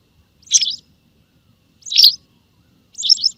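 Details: White wagtail calls played as a lure for bird hunting: three sharp, high chirps, each slightly buzzy and doubled, spaced about one and a half seconds apart over a quiet background.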